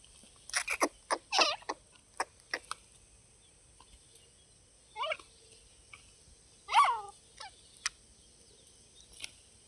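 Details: Grey francolin, shown playing and fighting: a run of harsh, broadband bursts in the first three seconds, then isolated descending, wavering call notes with long quiet gaps against a steady high hiss.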